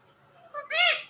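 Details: Ring-necked parrot talking, repeating a learned two-syllable word: a brief tonal note, then a louder, rising-and-falling harmonic syllable, all in a high, slightly nasal voice.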